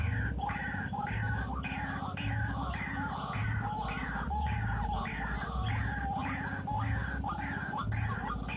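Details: Wild white-breasted waterhen giving rhythmic, nasal, croaking calls about once a second, each a short rising-then-falling phrase, over a constant low throbbing background hum.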